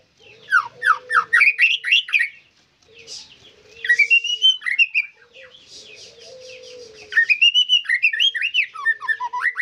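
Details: Vigorous white-rumped shama song in three bursts separated by short pauses, each a rapid run of sweeping whistled notes and chattering slurs, with a faint low steady hum in the background.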